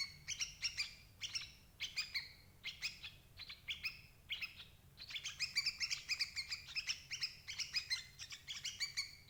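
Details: A sooty-headed bulbul lure call for capturing adult birds: separated bright chirps at first, then a fast, dense chattering burst of ringing notes in the second half.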